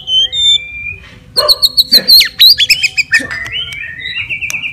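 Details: Murai batu, the white-rumped shama, in a fighter song to provoke rivals: clear whistled notes, then a rapid chattering run of high buzzy trills and slurred whistles, ending in wavering sustained tones.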